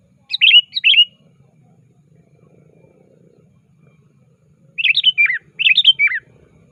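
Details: Sooty-headed bulbul calling actively to challenge a rival, used as a lure for trapping: two short bursts of chirpy, bubbly notes separated by a long quiet gap, the second burst longer with falling ends.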